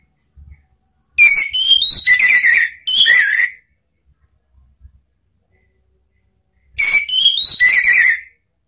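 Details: Orange-headed thrush kept as a cage bird, used as a lure to draw out other birds' song: two bursts of rich whistled phrases with high squeaky notes and slurred falling whistles, separated by a long quiet pause.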